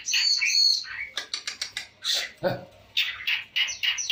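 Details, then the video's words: Long-tailed shrike in chatty varied song, held close to a phone: clear whistled notes open, then quick clicking ticks, a harsher squawk and a run of short bright chirped phrases, with a faint low thump. "pentet cendet gacoorr suara full variasi"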